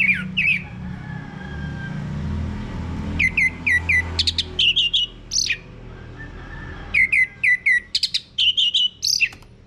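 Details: Male Orange-headed Thrush singing, used to prompt other birds to sing, clear repeated whistled notes in quick bursts of three to six, alternating with sharp higher chips, two long bouts separated by a quiet gap.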